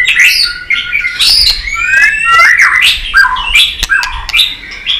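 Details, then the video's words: Excited, many-voiced song of a white-rumped shama, clicking and flicking its tail: a continuous stream of varied whistles, slurred glides and sharp notes, with clicks in between. "Chòe Lửa tạch đập đuôi kích lửa cực sung. kích chòe Lửa lên lửa sổ giọng.chòe Lửa hót nhiều giọng"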